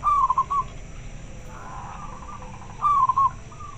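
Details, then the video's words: Local zebra dove answering another bird: two short bursts of rapid, stuttering mid-pitched cooing notes, one at the start and one near the end, separated by quiet background hiss. "Suara perkutut lokal sangat jernih - denger suara nya pada respon nyaut"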